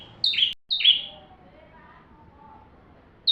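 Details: Bar-winged prinia singing, a recording meant for tutoring white-rumped shamas: two sharp, high, downward-slurred chirps close together, then a pause of about two seconds before another chirp starts, over a quiet low murmur.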